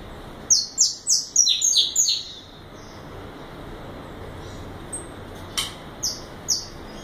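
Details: Five-month-old brown juvenile saffron finch, nominate subspecies, giving a quick run of seven sharp descending high notes, then silence and a few scattered single chirps spaced about half a second apart.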